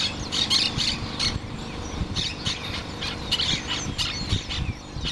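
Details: Cardon woodpecker giving harsh squealing calls in rapid irregular bursts over about five seconds, with steady low background rumble throughout.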